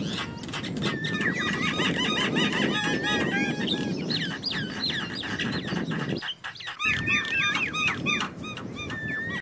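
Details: Wild Javan mynas chattering steadily with short whistles, clicks and downslurred notes about three a second, a brief pause partway, then the lively chatter resumes over low background rumble.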